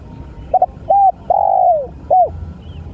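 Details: Spotted dove (tekukur) giving a cooing phrase, two quick short notes, a brief coo, a long drawn coo falling at the end, then a final short coo, with low background rumble.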